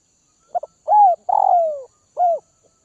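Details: Tamed captive spotted dove, Tay Bac, Vietnam: a stutter of two short notes, a warm coo, a long rough coo falling in pitch, and a final rounded coo.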